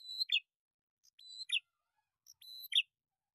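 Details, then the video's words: Male and female prinias calling noisily as a lure: three high, level whistles, each breaking into a sharp descending chip, spaced a little over a second apart. "SUARA PIKAT BURUNG PRENJAK JANTAN & BETINA RIBUT"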